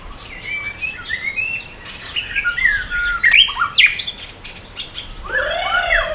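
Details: White-rumped shama in 'yến reo' style song meant to provoke rival birds: a string of soft, varied whistled phrases over steady background hiss, ending with a louder cluster of sweeping notes.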